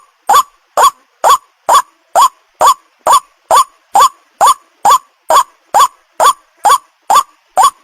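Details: Seventeen grating 'ruak' croaks from a white-breasted waterhen in a lure recording for attracting other waterhens, metronomic at about two notes per second, nothing else audible.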